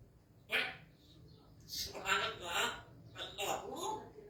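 A Grey parrot talks in three short bursts of speech-like, nasal chatter, with clipped syllables and bright, squeaky overtones. The room is otherwise quiet.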